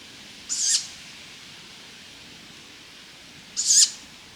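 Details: Tawny owl at night at a holiday-park cottage, gives two brief, harsh, hissing high-pitched calls about three seconds apart against a quiet night background.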